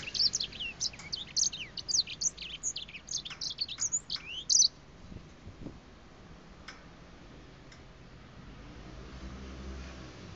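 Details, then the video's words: Breeding grey finch singing at close range, head bobbing: about five seconds of quick, high twittering chirps and short whistles, then the song stops, leaving faint background hiss with a few soft ticks. "小灰燕近距離唱歌 Grey Finch"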